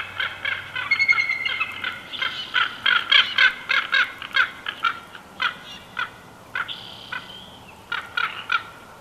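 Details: Bald eagle at a Big Bear Valley nest, recorded 2021-06-12 around the time it wing-slaps a raven: a rapid run of staccato, sharp chirping notes with harmonics, uneven pulses several per second, then a brief pause and a few more clipped notes.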